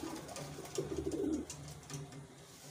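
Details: A captive wild pigeon gives a single short, low, rolling coo lasting about half a second against a steady hum.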